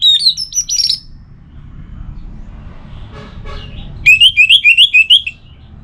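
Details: Orange-headed thrush offering a relaxed song: a fast phrase of high looping whistles, a pause with faint scratchy notes, then another rapid series of repeated wavering whistled notes.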